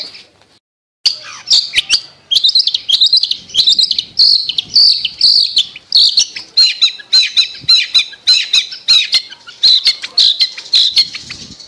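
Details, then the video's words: Long-tailed shrike lure song for a shrike that has stopped singing: after a second of silence, a long, energetic stream of sharp, rapid chattering notes in bursts, high-pitched and scratchy throughout. "Pancingan Cendet Macet Bunyi"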